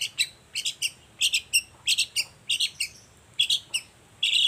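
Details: Morning lure recording of a lively long-tailed shrike, meant to make silent shrikes reply: rasping, high chattering notes in pairs and short clusters spread evenly across the clip.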